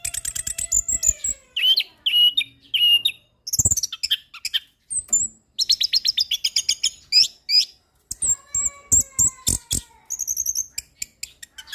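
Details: Orange-headed thrush singing continuously for tutoring caged birds: rapid strings of high, varied notes, including clipped chirps, buzzy rattles and wavering whistles, with brief pauses between tightly packed phrases.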